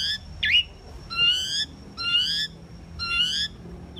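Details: Common pied myna singing: a sharp squeaky note followed by three drawn-out, buzzy whistled phrases spaced about a second apart, with a faint low hum behind.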